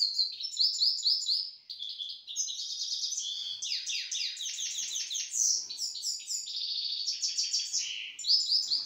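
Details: Grey-headed goldfinch, a pet bird from Istaravshan, Tajikistan, pouring out a lively unbroken song: rapid stuttering chirp series, buzzy rattles and sweeping whistled notes changing every second or so.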